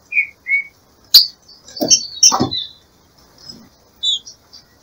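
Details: Breeding-season female green-winged saltator kept by a breeder, calling to excite the male: two short whistled notes, then harsh broadband bursts and squeaky high chips, ending with brief high chirps.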